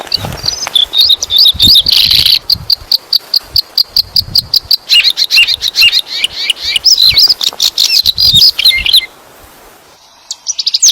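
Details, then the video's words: Male bird calling for a mate: a dense, fast stream of high, sharp twittering notes with rapid clicking pulses. It cuts off briefly before a few last high notes. "Cara burung jantan mencari pasangan"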